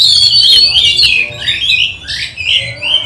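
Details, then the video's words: Oriental magpie-robin singing loudly as a training lure to make other magpie-robins quick to anger; piercing high whistles followed by descending slurred notes and short, choppy phrases. "Pancingan kacer gacor nembak untuk melatih kacer di saat lockdown, bongkar isian kacer cepat emosi"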